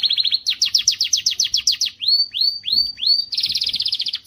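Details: Varied canary song meant to excite females: a quick trill, a run of looping swept strokes, four separate rising slurred whistles, then a dense high rapid trill to finish.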